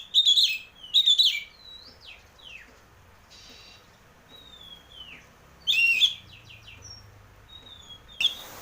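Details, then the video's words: Oriental magpie-robin (kacer) giving ngeplong-style song meant to stir birds into singing: loud twittering phrases, then a run of quieter drawn-out falling whistles, a bright burst near the end, and a brief rush of noise. "pancingan burung kacer ngeplong biar cepat mau bunyi dan gacor"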